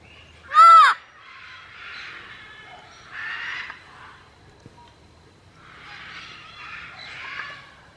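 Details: Parrot at a rescue sanctuary yelling beside a wooden parrot-shaped mailbox: one loud, harsh, harmonic squawk near the start, followed by softer raspy, chattering vocal bursts and quiet outdoor background.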